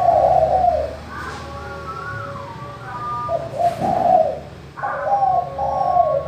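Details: Spotted dove giving its clear, crystal-toned manggung call, used as a lure to make reluctant doves call: mid-pitched husky coos at the start and end, separated by softer wavering tones and quieter gaps.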